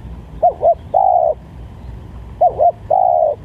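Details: Spotted dove call used to lure doves: two phrases, each two short arched coos followed by a long, level, drawn-out coo, with a steady low hum behind.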